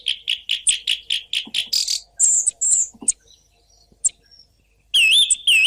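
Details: Merged recordings of song thrush song: a fast run of about a dozen identical clipped notes, then high ringing whistles and scattered sharp notes, ending in loud looping repeated whistled phrases.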